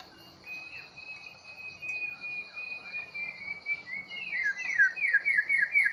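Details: Long-tailed white-rumped shama from Bahorok, newly taken from the forest, sings a long clear whistled note, then a burst of fast downslurred whistles that grow louder; a steady insect drone runs underneath.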